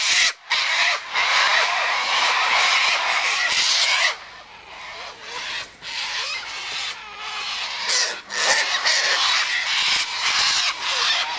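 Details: Flock of Sulphur-crested Cockatoos feeding on tossed-out sunflower seeds, wheat and birdseed by an eastern gate, filling the air with dense, harsh, overlapping screeches that run almost unbroken, dropping briefly after four seconds before building again.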